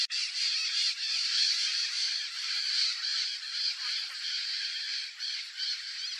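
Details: White-eyed parakeet (Periquitão, Maracanã) in Brazil guarding its nest entrance during breeding season; a continuous dense, harsh screeching chatter of overlapping raspy calls with no clear pauses.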